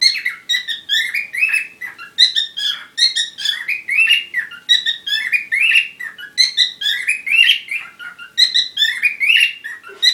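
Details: Parrot in courtship, warbling steadily for ten seconds, dense buzzy trills and short whistles packed closely together in a lively, uneven rhythm.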